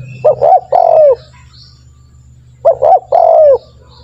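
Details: A spotted dove used as a calling lure gives two identical phrases about two and a half seconds apart. Each has two short soft notes and then a long, drawn-out coo sliding downward, with a faint low hum in the background.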